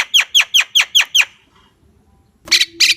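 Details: Javan myna giving six rapid descending notes, a short pause, then two loud harsh rasping bursts.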